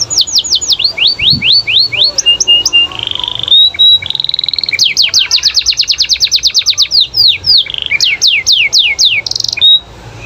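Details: Loud singing canary, meant to draw other canaries into answering, delivering fast trills of descending whistled sweeps, a sustained buzzy note, then more rapid sweeping phrases and brief chips without pause.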